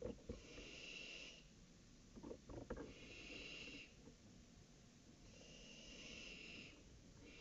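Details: Young barn owl around its first flight, 23 July 2018, at about 22:46: long, breathy, snoring hisses of about a second and a half, repeated every two to three seconds, with a few soft knocks and a low background rumble.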